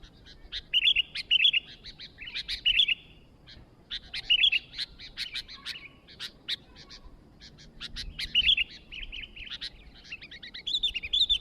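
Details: Newly acquired sooty-headed bulbul singing lively and continuously: repeated short bubbly, whistled phrases mixed with quick sharp chips, coming every second or so.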